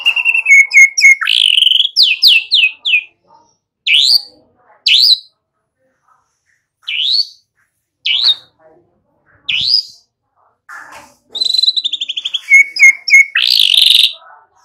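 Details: Shama lure song for getting young white-rumped shamas to sing: opening rapid trills and repeated whistles, then isolated rising slurred whistles separated by silences, ending in a fast rattling trill and loud upswept notes.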